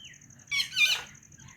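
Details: Pet white rose-ringed parakeet giving one short, harsh double squawk lasting about half a second, followed by a soft trailing note, over a faint steady high background whine.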